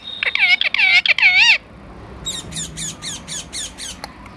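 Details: Caged parrot eating corn; loud, wavering screeches with rich harmonics open the sequence, followed by a regular run of softer, harsh squawks.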